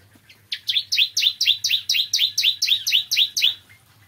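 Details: A bar-winged prinia sings in the morning, a steady train of about a dozen sharp, downslurred high notes, two per second-fraction, lasting three seconds, with a quiet low hum behind.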